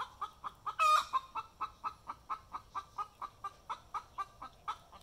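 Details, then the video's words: Domestic hen singing after laying an egg: one loud, strained squawk early on, then a long run of even, nasal clucks at about four per second. "Mae's Egg Song"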